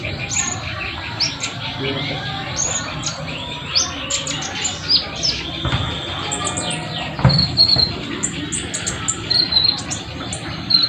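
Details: Olive-backed sunbird in the wild, singing vigorously: high chittering phrases and sharp thin notes in quick bursts over an insect drone, with faint low rumbling.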